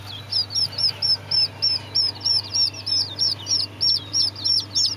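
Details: Serama chicks peeping: high, clear arched chirps repeated quickly and evenly, about three per second, a fainter second chick overlapping, constant low electrical hum in the background.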